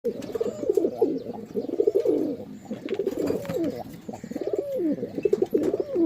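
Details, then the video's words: Several pigeons cooing together, overlapping low throaty burbling coos that swell and fall in continuous rolling phrases, with no pauses between birds. "Pigeon Sound"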